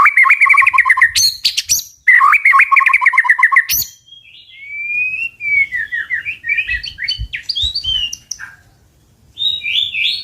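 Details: White-rumped shama giving forceful tạch-style song intended to goad birds into fighting: opens with fast, rattling trills of paired notes, then shifts to sliding, melodious whistles and a final loud phrase.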